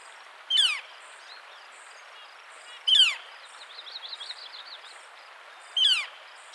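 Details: A Northern Flicker in spring, in the central and eastern United States, gives three loud, sharp, clear, downslurred calls about two to three seconds apart; softer chirps from other birds and a faint high insect hum sit behind them.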